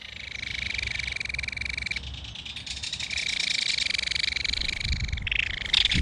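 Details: Belted kingfisher feeding its baby at a nest in a mud bank, adult and young keeping in touch. A continuous harsh, buzzing rattle of fast pulses runs throughout, shifting slightly in pitch, over a low rumble.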